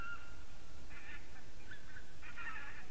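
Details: Geese recorded on the evening of 3 October 2015, giving a few scattered nasal honks, some overlapping, against a steady low rumble of wind or background noise.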